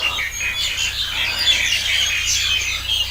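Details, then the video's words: A dense chorus of many birds singing at once on an organic farm kept free of chemicals for a year, with overlapping high chirps and twitters and a steady low hum beneath. "Birds Singing"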